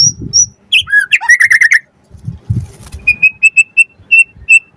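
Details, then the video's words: White-rumped shama song used as a lure to provoke other birds to sing and for tutoring: clear high whistles, a run of quick ringing notes, then evenly spaced piercing whistles over faint low rumbling. "Pancingan Murai Batu Langsung Nyaut Auto Bunyi Cpt Gacor Full Isian Buat Masteran Suara Burung Murai"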